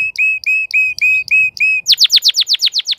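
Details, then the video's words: A crested canary repeats clear, level whistled notes about four times a second, then switches to a rapid series of high downward-sweeping notes. "تغريد كناري متوج (مقنبر) Chant Canari Pleine de Forme"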